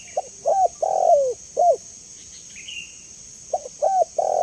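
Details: Spotted dove giving its clear call for luring and training: short hollow coos building to a long, drawn-out falling note, a pause, then the phrase starting again, with a steady high hum throughout.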